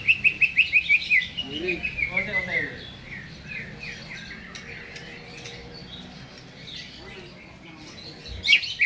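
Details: Caged greater green leafbird before hanging: a quick series of clear, slurred whistles dropping in pitch, then softer scattered chirps over background talk and low hum, with a final sharp note.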